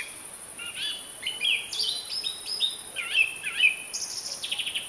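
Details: Singing song thrush (Turdus philomelos) gives varied bright phrases: whistled slurs, looping notes and a closing run of rapid repeated clicks. Each phrase is short, with brief pauses between them and light background hiss.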